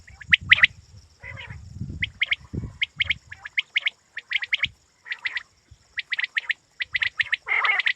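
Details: Hunting quail calling in quick bright chirps, some single and some in pairs or triples, with a few broader harsher notes and low background rumble early on.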